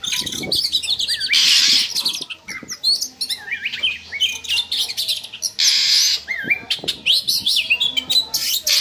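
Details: Oriental magpie-robin song used as a lure to stir breeding drive in kept birds: harsh buzzy bursts mixed with wavering whistled notes and chatter, with low background rumbling.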